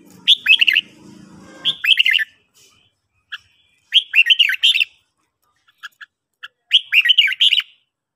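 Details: Red-whiskered bulbul delivering morning song: four energetic chattering-whistled phrases spaced about two seconds apart, with a few isolated single notes between; low background hum during the opening seconds.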